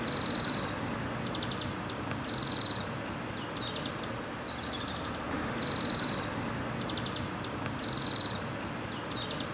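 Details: European greenfinch (Chloris chloris) song: short, canary-like trills of rapid ticking notes every second or two, over steady background traffic hum.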